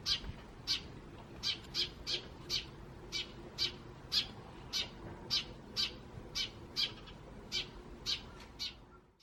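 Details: Eurasian tree sparrows chirping in the wild, recorded May 2017, with a few starling notes mixed in. Loud, evenly spaced high chirps run steadily, about two per second, over a faint low background.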